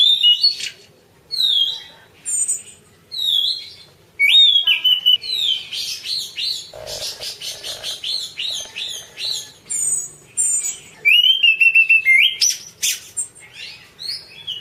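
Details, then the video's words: Orange-banded thrush, recorded as masteran, delivering a long varied song of whistled slurs, rapid chattering trills and quick repeated notes, almost continuous after a few spaced opening phrases. "suara kicau burung anis cendana : masteran anis cendana"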